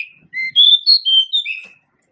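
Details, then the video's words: Pied bushchat male delivers a fast, sweet phrase of about six clear whistled notes, alternating higher and lower pitches in a jaunty pattern, lasting around one and a half seconds, with no other sounds. "Kicau Merdu Suara Burung Decu Jantan Endemik Asia"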